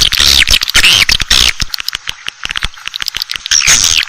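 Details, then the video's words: Asian swiftlet calling sound used to attract swiftlets: bursts of shrill, buzzy twittering chirps that alternate with rapid dry clicks, the twitter returning loudly near the end. "SUARA -PANGGIL WALET ASIA"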